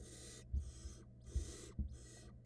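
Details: Barn owl family at a nest box in 2022 during a prey handover from male to female to nestling; three long, noisy hissing bursts separated by short silences, with a constant low hum underneath.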